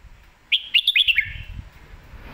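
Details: Red-whiskered bulbul, lak wai and mae bot song style: a crisp run of about five fast, rising, whistled notes, over faint low rumbling background noise.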